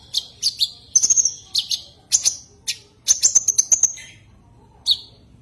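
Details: Common iora call directed at a rival, mixing short piercing chirps with two level high whistled phrases, pauses between bursts, and a final lone chirp near the end; no other sounds stand out.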